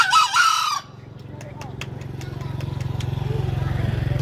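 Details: A green junglefowl gives a rasping, husky crow in the opening second, then falls silent while a steady, pulsing engine drone builds and faint ticking continues.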